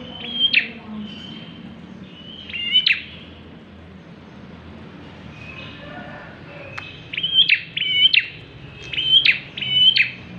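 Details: Bar-winged prinia singing, used as a lure to draw other birds: short bursts of high, thin notes, each a flat whistle ending in a sharp upward flick, given in clusters with a long pause between groups.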